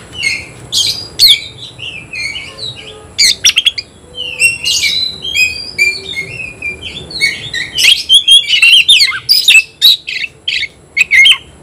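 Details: Oriental magpie-robin in full song, taking on a rival: long stream of varied whistles, slurred notes and short chattering bursts, growing busier and louder towards the end.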